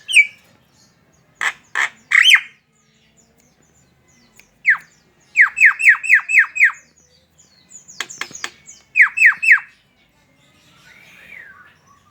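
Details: Javan myna song to lure other mynas into singing: scattered sharp clicks and squawks, then runs of five to six rapid downslurred notes, broken by clicking bursts and a soft wavering whistle at the end.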